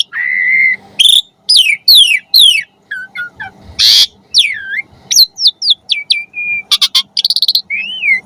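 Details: Asian pied starling in varied, energetic song used as a master recording to train pet starlings: clear whistles, some rising and some falling, mixed with harsh noisy bursts, quick chattering notes and a trill, over a faint low hum.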